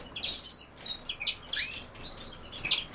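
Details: Goldfinch song in quick twittering phrases, with high buzzy trilled notes alternating with rapid chirps and a sweeping downward note, the bursts coming close together.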